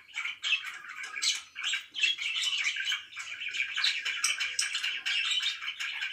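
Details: Pet budgies chirping at morning time: quick bursts of rasping, warbling chatter broken by brief dips, each burst packed with short stuttering notes.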